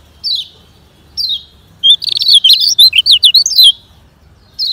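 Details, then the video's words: Fast-singing Lemon-bellied white-eye, a Lombok training recording for slow singers: two single descending high whistles, then a two-second burst of quick, chattering high notes, then another whistle starting. "Kecial Ngejoss Speed Kengceng Untuk Latihan Kecial Kuning Lambat"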